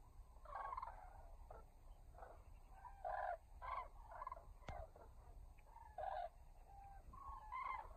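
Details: A flock of common cranes trumpeting at sunset as they fly back to roost at Los Canchales reservoir: repeated rolling, bugling calls from many birds, some overlapping, rising and falling in loudness.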